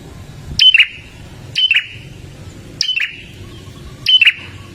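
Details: Olive-backed tailorbird, a loud chattering bird used to get caged birds singing: sharp high chirps, each falling into a short buzzy flourish, repeated about every 1.2 seconds over a low background hum.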